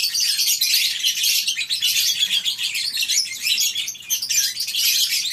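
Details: Lovebird flock in a colony aviary at a breeding farm on a morning: a dense, unbroken chorus of shrill, high chirps and squeaks from many birds overlapping, steady throughout.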